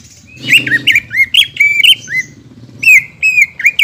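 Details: Greater green leafbird singing, meant to stimulate birds after moulting: varied slurred whistles and scratchy chirps, some notes looping up and down, with soft low background hum.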